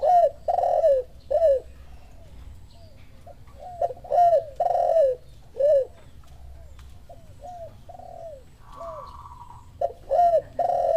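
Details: Spotted dove coos answering a lure call: loud, hoarse, downward-curving coos in uneven bursts, with fainter coos between them, a steady low hum, and a brief higher drawn-out tone near the end.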